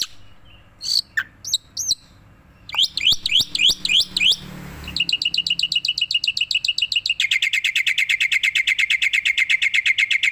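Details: Lively song from a tame black-winged myna bobbing its head: a few looping whistles, then rapid rising slurred notes, ending in a fast, steady trill of bright repeated chips.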